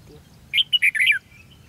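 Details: Competitive song of a red-whiskered bulbul during a trap-fight session, 13 February 2016: a quick run of four or five loud, liquid, warbled notes ending in a falling slur, with faint background rumble.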